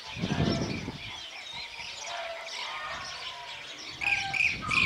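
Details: One Blue-cheeked bee-eater on a wire in Estagfirullah, Anatolia, Türkiye, on 9 May 2024 gives rolling, liquid chirps, busy throughout and louder near the end. A brief low rumble, possibly a voice, opens the recording.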